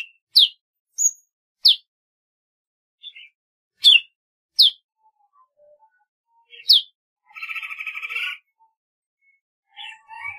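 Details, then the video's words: Golden-fronted leafbird singing in sparse bursts: short steep downward chirps spaced about a second apart, a buzzy harsh rattle near the end, then quiet warbling notes. "tiếng chim thanh tước"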